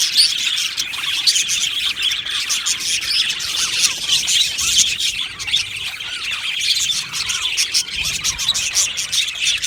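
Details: Aviary budgerigar colony singing and chirping: overlapping quick, high twittering notes, with occasional rising and falling squeaky whistles, forming a steady busy chorus throughout.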